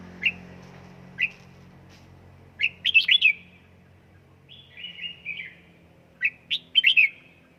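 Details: Caged red-whiskered bulbul trained at home, singing short bright whistled phrases in bursts, some quick warbling runs with rising and falling notes, separated by pauses of a second or more; faint low hum underneath.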